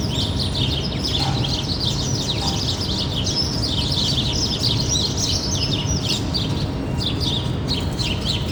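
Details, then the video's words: Birds chirping close to a city: a busy chorus of rapid high-pitched tweets and trills from many birds, continuous across the recording, with heavy low traffic-like city rumble underneath. "Birds Near a City"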